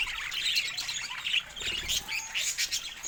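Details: Happy pet budgies chattering: quick bright chirps and buzzy warbled notes packed closely together, rising and falling irregularly over a few seconds.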